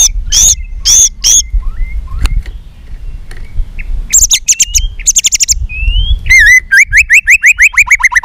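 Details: White-rumped shama in fighting song, flicking its tail and singing in many voices: harsh buzzy notes, a pause with soft whistles, then rapid sharp chips and a fast series of slurred, repeated whistled notes.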